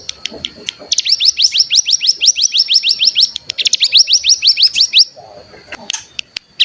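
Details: Ngebren-style trilling of bar-winged prinia, played as a lure to trigger singing: a long run of rapid, upswept high chirps after a few scattered notes, then a pause and scattered clicks. A thin steady high whine lingers throughout.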